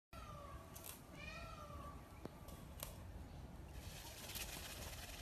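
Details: A peacock opening its feathers gives a drawn-out, mewing wail that bends down and up over about two seconds. A steady rushing background carries brief rustling bursts.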